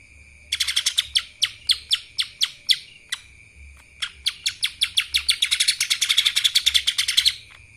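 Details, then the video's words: Lesser green leafbird in full kapas tembak song: bursts of sharp, bright, repeated chips, a short break, then a long accelerating chatter of densely packed notes, over a constant high hum. "CUCAK ijo mini Fulll suara KAPAS TEMBAK...!"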